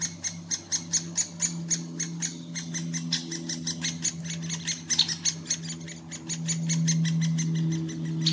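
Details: Great spotted woodpecker nest, Furuberget near Hamar, Norway, summer 2017: quick high clicking calls about three a second over a steady low hum that swells toward the end; handheld Panasonic Lumix FZ2000.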